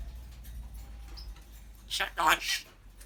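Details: African grey parrot chatting away, talking, laughing and burping; a short burst of speech-like syllables with broad harmonic bands comes late, over a faint low hum and quiet background.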